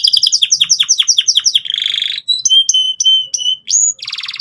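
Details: Canary song played as a lure for young canaries learning to sing: fast trill of repeated downswept notes, a buzzy rattle, then long clear whistled notes and a final harsh buzzy burst.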